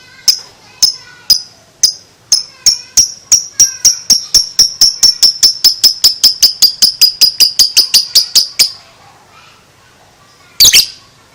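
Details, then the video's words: A two-month-old lovebird builds a ngekek chatter from widely spaced high clicks into a quick steady run of sharp notes for about eight seconds, then a pause and one loud squawk. "LOVEBIRD ini sekali BUNYI, Lovebird 2 Bulan gak BAKALAN DIAM, Langsung NYAUT NGEKEK"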